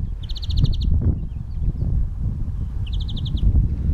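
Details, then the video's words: European greenfinch singing two quick, even trills of about eight bright notes each, a few seconds apart, over a steady low rumble of wind. "Голоса птиц: Зеленушка Carduelis chloris | Greenfinch singing"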